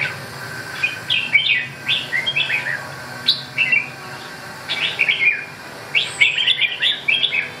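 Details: Red-whiskered bulbul singing lively, bubbling whistled phrases: quick chirpy notes that rise and dip, delivered in clustered bursts with short pauses, repeated steadily throughout against a faint constant hum.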